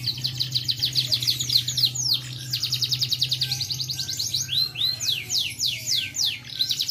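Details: Kept canary (kenari) singing: rapid high trills of repeated sweeping notes, changing speed between fast rolls and slower slurred phrases, with a steady low hum behind.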